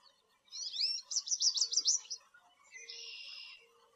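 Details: American goldfinch with a varied high twitter that runs into quick trilled notes, followed by a drawn-out buzzy note lasting about a second; a faint low tone sounds in the background.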